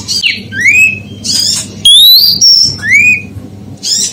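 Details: Oriental magpie-robin female, her call used to excite males: scratchy chatter, rising slurred whistles climbing steeply, a long flat high note, and more buzzy notes, against a steady low hum.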